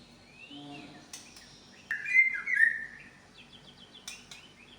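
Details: White-rumped shama of the Medan type, showing off its repertoire of imitated sounds: short high chirps, then a loud slurred whistled phrase with a rising and falling pitch, followed by quick twittering notes. A faint low humming tone is heard early on.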